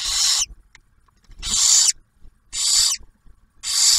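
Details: At a nest near Oak Harbor, Ohio, in Ottawa National Wildlife Refuge, barn owls feed their first hatched owlet, the male bringing food; loud rasping hisses, each under half a second, four in four seconds, with quiet gaps.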